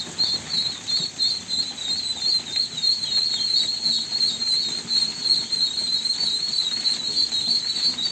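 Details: Persistent shrill peeping from ducklings, rapid short whistles near-continuous at about three per second, steady in pitch, with faint low background noise.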